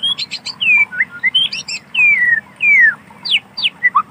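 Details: White-rumped shama singing in wild natural forest: a rich, varied run of clear whistles, slurred descending notes and quick chips, with phrases changing every second or so.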